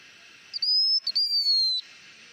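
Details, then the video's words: Lure song of a blue-winged minla, a pure high whistle held steady, then a brief gap and a second drawn-out whistle sliding gently downward. "Chim Khướu Lùn Cánh Xanh hót mồi"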